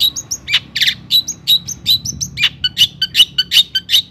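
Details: Lively gacor singing of a long-tailed shrike, meant to stir other shrikes to sing: quick high chips alternate with rasping bursts and short whistles in a brisk, repeated chattering rhythm.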